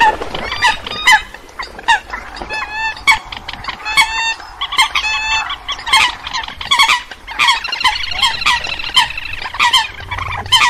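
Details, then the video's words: Eurasian coots call in a dense chorus of loud, nasal, honking notes, several every second, with overlapping birds and no other clear sounds; this is a lure recording used for night netting of migrating birds. "Tiếng Sâm Cầm"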